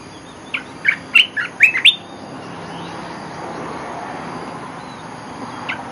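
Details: A quick bubbling phrase of olive-winged bulbul lure song opens, six sharp chirpy notes in under two seconds, followed by a long stretch of rushing background noise and one faint closing note.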